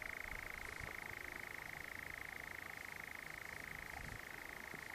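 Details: A nightjar at dusk (about 9.45 to 10.30 pm) in Hamsterley, two birds present, churrs in one unbroken, dry, mechanical trill, steady in pitch and volume, over faint low background rumble.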